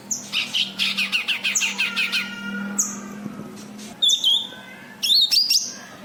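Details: A cucak kinoi white-eye used to lure other kinoi gives a rapid rhythmic series of high chirps, then single downslurred notes and squeaky twisting whistles, over a low steady hum.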